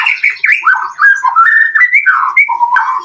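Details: Melodious white-rumped shama song played to draw answering song from other shamas: a flowing series of mellow, slurred whistles rising and falling in quick succession, with faint high notes above.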